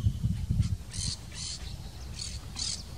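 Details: A White-rumped sandpiper in wetlands of the Maldonado river estuary, Uruguay, in April 2022, gives four very high, thin squeaky notes in two pairs, over a low rumble of wind.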